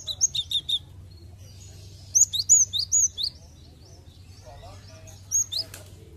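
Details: Cinereous tit song played to make other birds sing: a fast triple of high sharp notes, then a phrase of four ringing down-slurred whistles, a pause with faint lower chirps, and a final single note.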